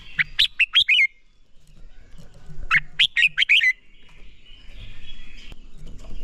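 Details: Red-whiskered bulbul in training song meant to spur birds into fiery competition singing. Two matching phrases about two seconds apart, each a quick run of five or six clear, bright, whistled, slurred notes. Faint high tones follow.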